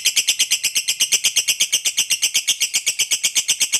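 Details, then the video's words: Lovebird in long ngekek trill, sung to spur other lovebirds to answer: dense, harsh, evenly spaced buzzy pulses, nearly three per second, steady in pitch for the whole stretch. "Pancingan Suara Lovebird Ngekek Panjang Paling di SUKAI"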